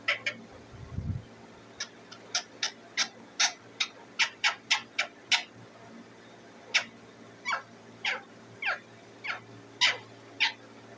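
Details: Indian ringneck parakeet kept as a pet, chirping indoors in a long series of sharp, clipped notes, mostly about twice a second with brief pauses, a soft low thump near the start and a constant background hum.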